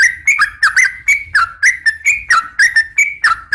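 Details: Morning call of a female sooty-headed bulbul beckoning males. Rapid, clipped chirping notes repeat about three times a second with a swooping, whistled quality, over a soft low hum.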